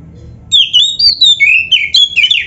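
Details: Oriental magpie-robin, black-breasted kacer, singing for caged-bird training: a loud, flowing string of clear whistled notes that wavers and gradually steps lower, then jumps up again, with short breaks between phrases.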